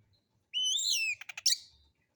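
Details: White-rumped shama song used as a relaxed lure to provoke other birds into singing, rough-style material: a rising, layered whistled phrase followed by four rapid clicking pulses and a sharp bright note, in silent surroundings.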